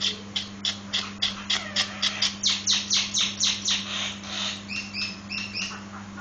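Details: Nias hill myna: about twenty quick, harsh, broad chirps repeated roughly four per second, ending in a few clear, steady, high whistled notes, over a constant low electrical hum.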